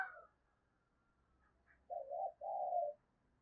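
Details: Spotted dove cooing as a lure for a response. A brief higher note comes first, then two low, hoarse coos follow in quick succession near the end.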